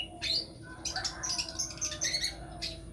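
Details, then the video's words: Long-tailed shrike, a prospective champion songbird, delivering a varied chattering song of sharp high notes, harsh buzzy bursts and short whistles in quick succession, with a steady low hum underneath. "kicau mania || calon cendet juara"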